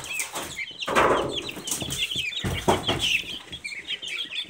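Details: Silkie chicken chicks peeping together in a dense, overlapping chorus of high chirps, mixed with bursts of rustling and scratching noise.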